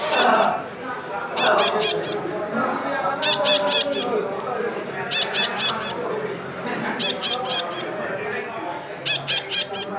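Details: Red-breasted parakeet parent feeding its young, with harsh, grating begging calls in rapid clusters of three to five notes, bursts recurring about every two seconds over a steady background murmur and voices.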